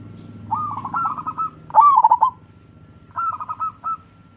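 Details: Local wild-type zebra dove singing crossing-style song, used as a lure to prompt lazy doves to sing: three rolling, stuttering mid-pitched coo phrases, the middle one loudest, over a low steady hum.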